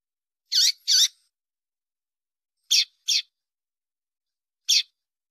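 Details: Female double-collared seedeater calls, used by breeders to stimulate males to sing before song tournaments: short, high, buzzy notes given singly and in pairs with long silent gaps, five notes in all over a clean background.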